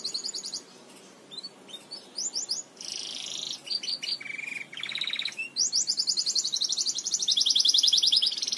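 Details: Tutor song of a Belgian canary for training canaries: quick bursts of rapid trills and buzzy rolls, followed by a long sustained high rattling trill that grows louder toward the end.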